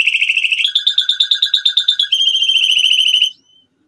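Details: A male canary sings a rapid high trill, switches to evenly pulsed two-tone notes about eight per second, then holds a steady fast roll before stopping abruptly.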